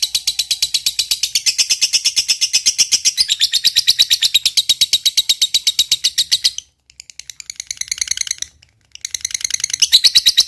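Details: Fighter-type lovebird singing its long 'ngekek' chatter: a fast, buzzy, tightly repeated trill of high notes, about three per second, running steadily for over six seconds, briefly breaking off, then resuming in shorter bursts.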